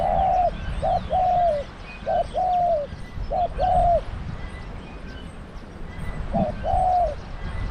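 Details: Spotted dove used as a decoy in dove trapping: low, mellow coos in paired phrases, a short note then a longer drawn, slightly falling note, repeated several times with a pause before the last pair, over faint background hum.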